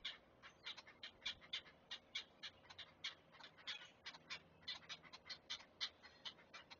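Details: Great blue heron chicks being fed at the nest, filmed by a nest camera at Chesapeake: rapid dry clicking and ticking pulses, roughly four to five per second, irregular but steady throughout.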